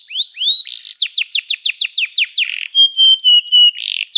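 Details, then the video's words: Training song of a canary, opening with two upslurred whistles, then a fast run of about a dozen descending sweeps, a buzz, and a series of level piping notes. "O som do canário cantando é muito gostoso! melhor treinamento para canario"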